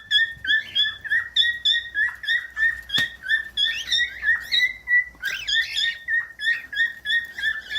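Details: Cockatiel chirping in a fast, steady rhythm of about three short notes per second, punctuated by a sharp click and a brief harsh flourish midway.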